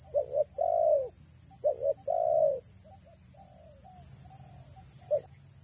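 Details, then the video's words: A female spotted dove, calling to draw in males, gives two clear phrases of two short hoots and a long falling coo, followed by quieter, fainter cooing and one last short note, over a steady hiss. "BURUNG TEKUKUR BETINA PREM4N MENGH4JAR PIKAT"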